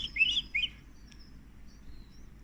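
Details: Young canaries begging at feeding time: three quick, bright chirps packed into the first moment, then near silence with only a faint high thin tone.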